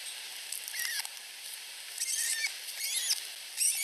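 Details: Two osprey chicks under a week old at a nest in Finland, competing for food from their mother; thin, high squeaky chirps come in short scattered bursts over a steady hiss of wind.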